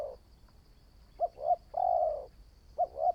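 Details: Spotted dove, a newly trained decoy bird, giving mellow low coos: a pair of short clipped notes, then one long even coo, then two short notes again.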